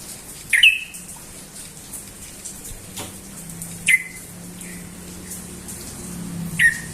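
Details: Sooty-headed bulbul in Indonesia in the morning giving single loud, sharp downslurred chirps spaced a few seconds apart, with a faint low hum in the background.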